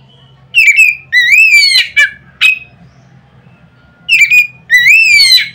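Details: Loud Oriental magpie-robin song used to get other magpie-robins singing, made of two phrases of rising, ringing whistles with clicks, separated by a quiet pause of about one and a half seconds.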